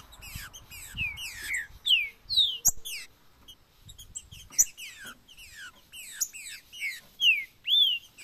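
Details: Green-winged saltator male-type song used to warm up other saltators: a busy run of clear, sharply down-slurred whistles, about two per second, with some notes overlapping as if from more than one bird.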